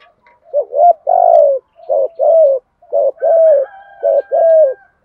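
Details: Captive decoy spotted dove cooing in the thúc gù style to provoke and lure wild doves: low, mellow two-part coo phrases, a short throaty note then a longer drawn-out coo, repeated roughly once a second with brief pauses.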